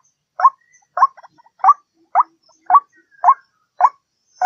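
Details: Waterhen lure sound from a white-breasted waterhen: eight rough, rising notes repeated about every half second, with faint clicks between some of them.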